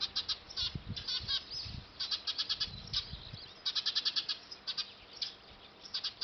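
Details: Eurasian tree sparrows nesting on a factory roof give long runs of rapid, high chirps with a few pauses, over soft low bumps and knocks. Filmed with a D5000 camera.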